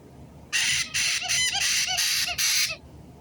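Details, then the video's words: White-bellied caique parrot screeching in six loud, harsh bursts over about two seconds, noisy and broad, separated by short pauses, with faint background noise between calls. "White-bellied Caique 金凱克 鸚鵡 Parrot"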